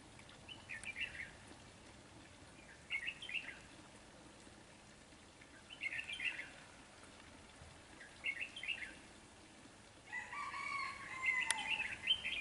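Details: A red-whiskered bulbul lured by a decoy bird repeats brisk chattering phrases roughly every two and a half seconds, and a rooster crows near the end.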